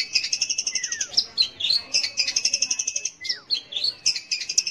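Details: Long-tailed shrike singing to provoke young or silent shrikes: quick rattling series of harsh high notes alternating with squeaky phrases and two downward-curving whistles.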